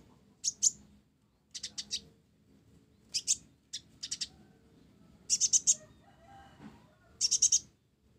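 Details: Mottled ninja sunbird singing with sparrow phrases mixed in: groups of two to four bright high chirps spaced about a second apart, soft murmur underneath.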